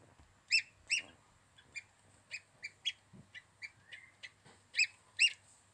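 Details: Little gosling calling almost constantly with rapid high-pitched peeps, loud paired notes at the start and end and softer ones in between, accompanied by occasional low bumps.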